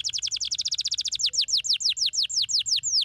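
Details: Canary singing to stimulate lazy canaries: a very fast trill of high downward-sweeping notes that slows into broader, evenly spaced descending whistles, about three per half second.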